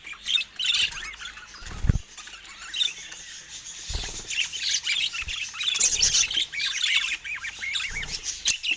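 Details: Rare budgerigars under natural Scandinavian light; soft continuous twittering and warbling from a group, with a few dull knocks in the background.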